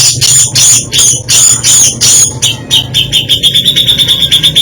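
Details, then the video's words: Grey-cheeked bulbul in varied isian song, starting with rough, harsh bursts roughly every half second, then switching to a fast, even, high trill of rapidly repeated notes. "Variasi ISIAN Cucak Jenggot ini bikin merinding kicauannya"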